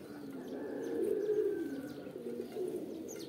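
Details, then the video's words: Kabutar, or pigeon, giving a brief, deep rolling coo that peaks in the middle, with a faint thin whistle held steady behind it. "Kabutar | Pigeon Videos | Kabootar Ki Video Episode-4 | Birds Sounds"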